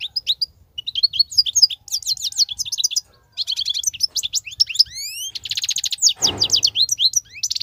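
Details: Wild European goldfinch in continuous, unbroken song with batbatat phrases: dense tinkling, buzzy twitters, rapid trills and sweeping upward whistles, pausing briefly near three seconds, with a short rasping burst near the six-second mark.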